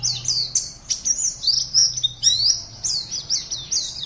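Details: Caged Oriental white-eye entered in an online singing competition in Pontianak, West Kalimantan, Indonesia, delivers a rapid run of high, thin chirped notes, many sliding downward, in quick succession with brief gaps; faint low hum beneath.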